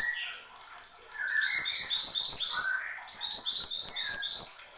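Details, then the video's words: Horsfield's babbler singing energetically: soft rising whistles lead into two loud bursts of quick, bright, repeated high notes, about four per second, each lasting over a second. "SUARA BURUNG MANTENAN GUNUNG GACOR"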